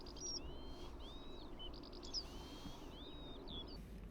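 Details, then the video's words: Western yellow wagtail singing from crops in summer, about 5:30 in the morning: thin, high, slightly scratchy notes in short bursts every second or so, over a steady low rumble of wind or distant traffic. "And I spotted a beautiful yellow wagtail singing from the crops."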